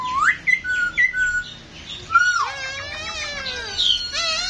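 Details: Masked laughingthrush, a caged bird shown dancing, giving clear whistled rising and level notes, then a rippling warbled phrase with harsh overtones, in a small room.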